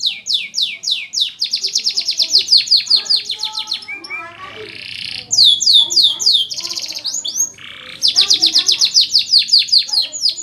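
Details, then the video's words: Domestic canary in sustained song to train young canaries: long tours of fast repeated downsweeping notes, broken by brief softer warbles and a buzzy passage before the rapid trills resume. "Kumpulan Video Burung Kenari Gacor"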